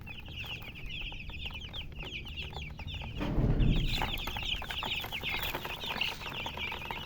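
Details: A flock of baby chicks keeps up fast, high-pitched peeping, about three notes a second. A loud rustling thump interrupts midway.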